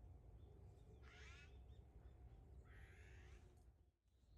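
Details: Azure-winged magpie calls recorded on 15 December 2021: two harsh, rasping, buzzy notes about a second and a half apart over a steady low rumble of background noise.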